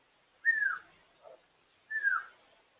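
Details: Pet African grey parrot out of its cage, giving two loud whistles about 1.5 seconds apart. Each slides downward and fades, with a faint low note between them. The room is otherwise quiet.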